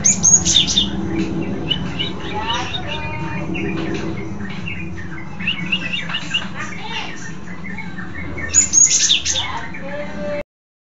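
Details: A Cinereous tit, filmed from below, sings a busy, unbroken stream of high chirps, trills and varied twittering notes, with a low murmur in the background.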